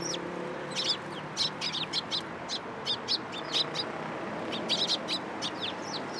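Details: Sparrows taking food from a hand at a Tenmangu shrine, 14 April 2023: a busy stream of short, sharp, high chirps from several birds, overlapping at irregular intervals.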